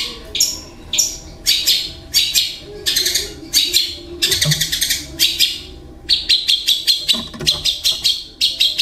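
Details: Long-tailed shrike in captivity in Indonesia, its song filled with imitations of kingfisher, fighting sparrow and lovebird: a string of short, sharp, scratchy phrases repeated about twice a second, turning into quicker clipped notes late on.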